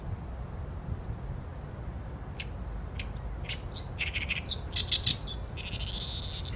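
An Oriental reed warbler sings a harsh, chattering run of grating notes and clicks that builds in the second half, over a steady low rumble.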